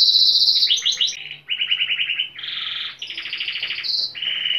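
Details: Timbrado canary, described as agitated, singing loud, fast rolling trills at high pitch, shifting abruptly between metallic tours and a bell-like upper note.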